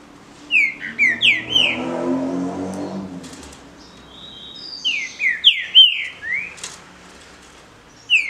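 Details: Singing contest of captive Green-winged saltators: two phrases of loud, mellow whistles, each a tumbling series of slurred notes, with a low rumbling background noise between them.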